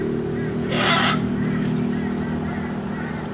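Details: On a balcony on Queensland's Whitsunday coast, one of several Sulphur-crested Cockatoos gathered there from early morning gives a single harsh, raspy screech of about half a second, over a low mechanical hum with a person speaking.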